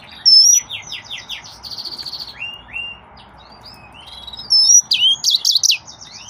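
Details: Yellow-fronted canary, or green singer, delivering a varied high song with whistled notes, buzzy trills and short downslurred chirps, ending in a loud burst of rapid warbling phrases.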